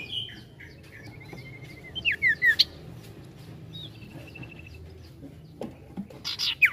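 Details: Sirtu (ashy tailorbird) giving gacor ngetril ngetrol song. It mixes thin level trills with short clusters of sharp falling chirps, fairly quiet over a steady low hum, with a louder flurry of high notes at the end.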